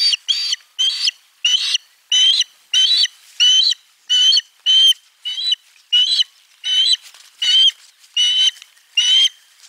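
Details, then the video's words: Osprey at nest 4 on 3 June 2022, during a fish delivery, with sound said to come from the egg: loud, slightly squealing chirps repeated about every two thirds of a second, evenly spaced and insistent. "ääni kuuluu munasta"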